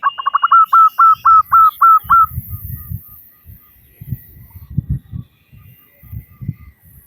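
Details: Calling female zebra dove, local strain, luring males: rapid stuttered notes open into about six level whistled coos within two seconds, then low thumping and rumbling noise fills the rest.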